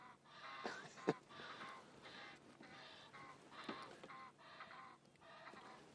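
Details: A pair of Egyptian geese in a morning exchange around sunrise on 19 August 2016 at Sabi Sand, South Africa, near muddy ground with blacksmith lapwings: about seven harsh, nasal honks, each roughly half a second long.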